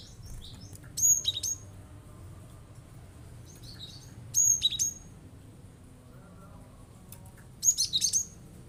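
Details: Cinereous tit firing off its song to rile other birds into answering: three brief clusters of sharp, very high chirping whistles, spaced roughly three seconds apart, with quiet gaps between.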